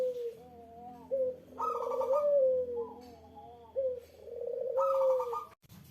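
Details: Eurasian collared dove (puter) calling to provoke a rival's reply: two deep cooing phrases, each a short note then a longer rolling, slightly falling coo, over a faint steady low hum.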